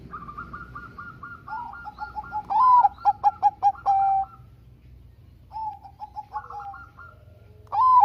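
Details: Bangkok-type zebra dove song, used as a lure to make lazy doves sing. Other doves repeat soft rapid cooing notes in the background. One bird gives a full phrase: a long whistle, short rhythmic notes and a sustained close. Another phrase begins at the end.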